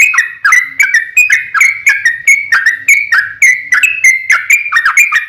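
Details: Sooty-headed bulbul lure song played to make wild birds answer: fast repeated bubbly whistles, each dropping in pitch with a crisp click, in a dense unbroken chatter.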